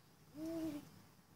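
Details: Spotted eagle-owl visiting a suburban Johannesburg garden, South Africa, 28 February 2014, giving one smooth, mellow hoot of about half a second, level then gently dropping, with faint background hiss.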